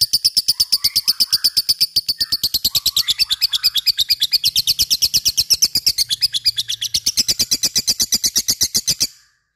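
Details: Lovebird giving the long ngekek chatter used as a lure to prompt other lovebirds to sing: a fast, even stream of high, sharp chirps at about three per second for nine seconds, ending abruptly.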